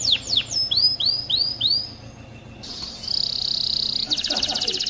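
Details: Canary song for training young males to sing and bringing females into mating condition: repeated upward-arching whistled notes, then a pause and a dense buzzy trill ending in a rapid rattle.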